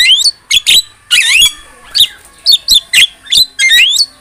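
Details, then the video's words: Javan myna gacor song: harsh squawks and upslurred whistles given in short bursts roughly every half second. "MASTERAN JALAK KEBO GACOR"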